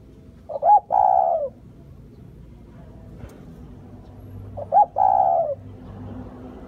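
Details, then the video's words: Spotted dove cooing: two phrases about four seconds apart, each a short rising note followed by a longer, steady, mellow drawn-out coo, over quiet background. "tiếng chim cu gáy"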